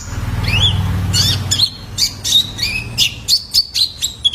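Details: Young male Van Hasselt's sunbird, a lure recording for caged birds: high, thin whistles rising and falling, then a quick series of sharp chirps about every quarter second, over a steady low droning hum.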